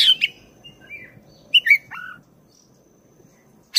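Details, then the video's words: Black-breasted oriental magpie-robin singing persistently in a long rolling song, used to stir up a caged bird into singing: varied clear whistles, slurred rising and falling notes and a downward glide, ending in a sharp loud note. "ngeroll panjang! pancingan suara kacer gacor dada hitam istimeewa"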